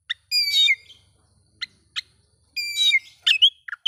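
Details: Oriental magpie-robin song to provoke rival magpie-robins: long rich harsh notes separated by sharp single chips, ending in quick whistled slurs.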